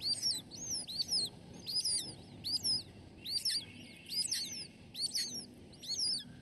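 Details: A youngest Red-shouldered Hawk nestling, outcompeted by two siblings and still hungry after the food ran out, begs with high, thin arching squeals in quick clusters about once a second over a faint low rumble.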